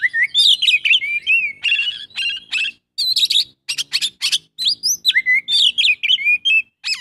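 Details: Oriental magpie-robin pouring out a full isian song of fluted whistles, quick trills and scratchy buzzing bursts. Only short gaps break the singing.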